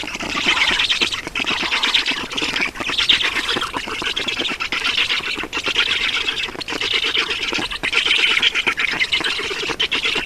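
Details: Black storks at a nest in Estonia during feeding on 7 June 2019 at 16:44; harsh, rasping, wheezy bursts repeated about once a second, overlapping and continuous, with faint rustling at the nest.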